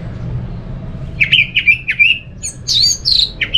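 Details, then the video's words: Orange-headed thrush singing, used as a lure to get other thrushes to sing: a series of short, sharp chirped notes about every third of a second, then higher, squeakier slurred phrases, over a low steady hum. "Suara burung ANIS MERAH ini ampuh bikin ANIS Jenis apapun ikut bunyi"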